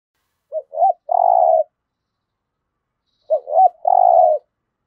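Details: Two cooing phrases from a spotted dove in the 'thổ' voice style, played to make new captive birds call quickly: each has a brief note, a looping note, then a sustained mellow coo, separated by silence.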